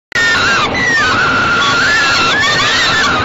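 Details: Falcon chicks in a nest box being fed by their mother on 28 May 2013, 6:00 to 6:15 pm, give long, harsh, wavering screams that hold steady with slight rises and dips, running almost without a break.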